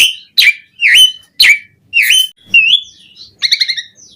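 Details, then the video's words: Jalak suren, the Asian pied starling, singing energetically in a varied 'isian' style used as a lure to get starlings singing: strong separated notes, several bending down then up, a drawn whistle, then a quick stuttered burst of chirps. "Suara Jalak Suren Gacor Auto Bongkar Isian Variasi Buat Pancingan Burung Jalak Agar Gacor Full Isian"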